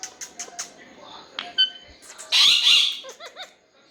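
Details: Pet talking parrot indoors giving a harsh, broadband squawk mid-clip, preceded by sharp clicks and short tonal notes and followed by a run of quick rising chirps; a person's voice talks to it nearby.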